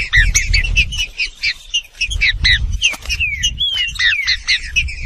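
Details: True trinca-ferro (Saltator similis): rapid chips and squeaks blending into smooth whistled phrases that rise then fall, backed by heavy low-pitched rumbling noise throughout.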